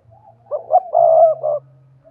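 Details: Spotted dove calling as a lure for wild doves: a brief phrase of soft coos building into one long loud coo and a shorter closing note, with a low steady hum underneath.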